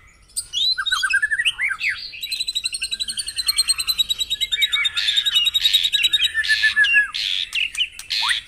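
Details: Long white-rumped shama song played to make caged birds sing in the morning: rising whistled phrases give way to a sustained, very fast rattle of repeated high notes with swooping accents.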